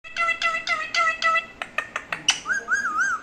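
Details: A pet parrot waiting for its owner to talk gives a run of quick, evenly spaced harmonic syllables, about four a second, then a wavering, looping whistle.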